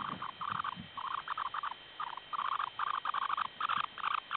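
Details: Semipalmated sandpiper incubating at a breeding site near Barrow, Alaska: rapid bursts of short chattering notes near mid pitch, grouped in quick runs of three to six, nearly continuous across the clip, with a faint steady electronic hum behind.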